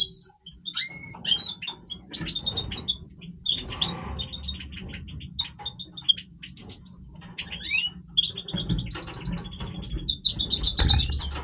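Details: Long, energetic breeding song of a Major goldfinch: continuous high twittering with rising and falling slurred whistles, clicking chatter and brief buzzy rattles, over low background hum.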